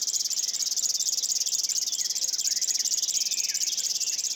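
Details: A river warbler in Estonia sings a dry, rapid, insect-like buzzing of steady high pulses like a sewing machine, with faint chirps from other birds behind.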